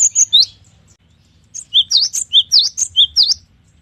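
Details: Cinereous tit singing a long, varied phrase: high sharp chirps open, a short pause, then a rapid run of about eight piercing, V-shaped notes alternating with lower clipped notes.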